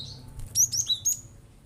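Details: Cinereous tit firing off provocative song bursts to make other birds sing: four or five crisp, piercing whistled notes in quick succession, some sliding upward, within about a second.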